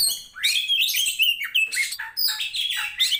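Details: Oriental magpie-robin of the poci (teapot) type from Tretes, a fighting bird singing persistently, used to train similar birds for song contests: dense, rapid run of bright whistled and chattering notes, sliding up and down, without pause.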